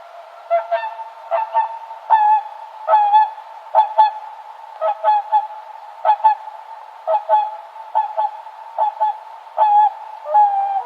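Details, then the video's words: Swan giving loud nasal honks, often paired, repeated roughly every second in an uneven rhythm over a quiet background with a faint steady tone. "Som de cisne"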